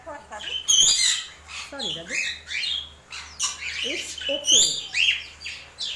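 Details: African grey parrot being fed okra, giving harsh squawks and short rising-falling whistled notes in bursts, with a person talking gently nearby throughout.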